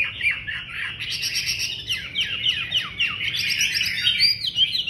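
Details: Chinese hwamei pouring out a loud song: rapid, varied whistled phrases with quick slurred notes rising and falling, barely a pause over five seconds.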